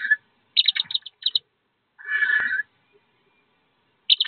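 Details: Wood duck ducklings jumping from a nest box about 15 feet above ground to join their mother. Quick clusters of high peeps are interrupted by one buzzy, harsher call lasting over half a second, then silence and another peep.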